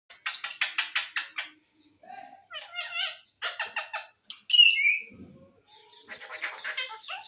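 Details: Green parrot talking: bursts of rapid, evenly repeated harsh syllables, a pause, then clipped speech-like phrases and a loud squawky rising note before more chattering syllables; indoors, no other sounds.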